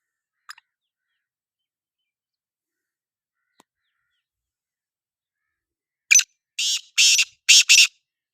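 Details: One faint note early, a long silence, then a black francolin's harsh call of five rasping, scratchy bursts delivered in quick succession.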